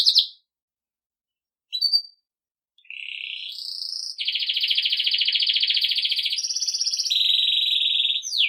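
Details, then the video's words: Belgian canary singing, recorded to train young birds: brief chirps with pauses, then sustained rapid trills shifting between tones, each trill a dense fast rattle. "Canário belga campainha para treinar filhotes"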